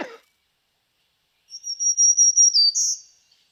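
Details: Black-throated Green Warbler, a Kentucky spring migrant, sings a run of high, even buzzy zee notes, then two final differing notes that dip and rise, zoo-zee; a brief cough-like sound comes first.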